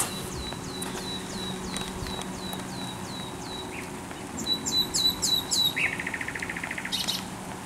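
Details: Thrush nightingale singing at the Żerań Canal on 24 April 2022: a string of high, sharply down-slurred whistles repeated steadily, then loud buzzy notes and a fast dry rattle near the end.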